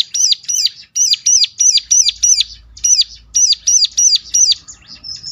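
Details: Ciblek (bar-winged prinia) lure song, used as therapy to make other ciblek answer and sing: a run of loud, sharp, high chirps in a hooked shape, about three per second, with a brief gap, then fading into softer twitter.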